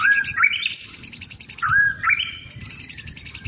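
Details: Caged mottled 'blorok' white-rumped shama, a contest bird, singing during sunbathing: slurred rising whistles followed by fast, high, repeated trilled notes.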